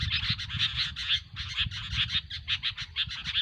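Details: Sooty-headed bulbuls calling noisily, a lure for trapping: harsh rasping bursts repeated about twice a second with bright sharp accents, over a steady low background hum.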